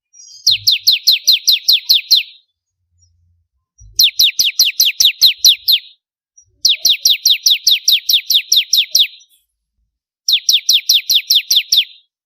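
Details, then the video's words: Chattering bar-winged prinia, used to train contest birds, repeats four fast strings of high, sharply falling chips, roughly ten to twelve notes per string, with brief silent gaps and occasional soft low thumps. "Ciblek Kristal Gacor"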